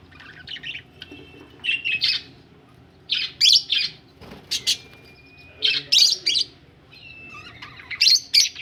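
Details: Budgerigars said to be ready for laying eggs, heard as bursts of sharp, buzzy chirps and squawks, often in quick pairs or triples, with a thin steady whistle-like tone running between some bursts.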